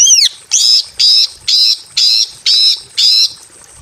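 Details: In a simple aviary, a female greater green leafbird in breeding condition calls a male with one arched note and then six harsh, buzzy, grating notes about every half second.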